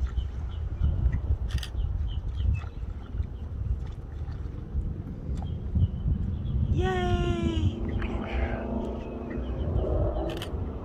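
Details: Reddish egret at Key Vista Nature Park, Florida, on 15 December 2021 gives a single harsh, nasal croak about a second long, with a fainter rasp after it, over steady wind and low rumble.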